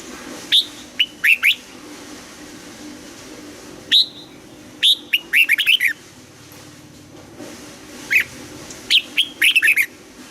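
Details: Red-whiskered bulbul in morning song training in the double-note 'âm kép già rừng' style repeats warbled phrases of several quick clear whistles about every four seconds, with single notes between them.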